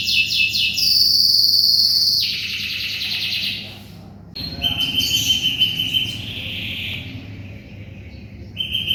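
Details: Canary in full song for shama tutoring: dense rapid rattling trills and held high notes, a short pause near the middle, then bright sustained whistled phrases and chirps, with a faint low hum beneath.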